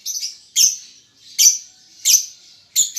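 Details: Young lovebird still learning its chatter, giving four sharp shrill chirps about every two-thirds of a second, each followed by a fading hiss of rough buzz.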